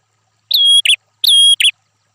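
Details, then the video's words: Red-headed prinia song used as tutor material for fighting songbirds: two phrases, each a clear high whistle followed at once by a short buzzy chirp, in a quiet background. "perenjak kepala merah mastearn burung figter prenjak gacor"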